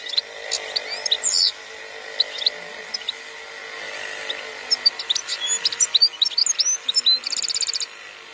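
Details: European goldfinch from an Algerian breeder, 2021. Sparse high chirps at first build into a fast twittering phrase with a short buzzy trill near the end, over a constant hum.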